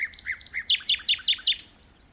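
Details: Singing in a tree, a common nightingale gives rapid paired chirps followed by six loud, evenly spaced sharp notes, each about a fifth of a second apart.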